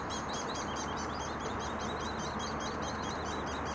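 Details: Hairy Woodpecker nestlings at a nest in British Columbia, fed by a parent, keep up a steady, high chattering, with quick repeated notes several times a second, over a constant hiss of background noise.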